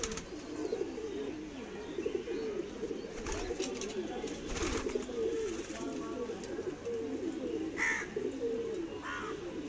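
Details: Madrasi pigeon, a domestic pigeon breed, giving soft, low rolling coos that run on steadily. They are partly masked by clatter and background noise, with a few brief higher squeaks near the end.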